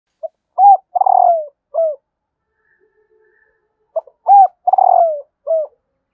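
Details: Female spotted dove calling to stimulate males: two matching low cooing phrases about three seconds apart, each a brief note, a rounded coo, a longer buzzy downward-slurred coo and a short closing coo, on a silent background.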